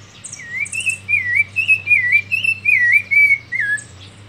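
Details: Hand-raised thrush fledgling singing while held: some nine rippling, wavering whistles in a steady rhythm, opening with brief high buzzy chirps, the last note dropping lower; faint low hum underneath.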